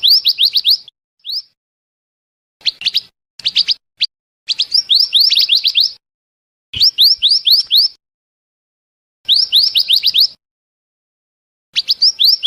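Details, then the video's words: Scarlet minivet song played as a trapping lure: repeated bursts of rapid, high-pitched upslurred whistles, several notes per burst, broken by short silent gaps and occasional single notes. "suara pikat burung mantenan/merapi api dijamin langsung nyaut"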